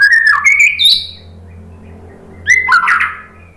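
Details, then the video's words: White-rumped shama song used as a lure: a few rich whistled swoops and sharp notes, a quiet gap of about a second, then another burst of rising and falling whistles. "OCEHAN MURAI BATU BIKIN NYAUT JADI GACOR NGEPLONG BONGKAR MATERI ISIAN ¦ PANCINGAN MURAI"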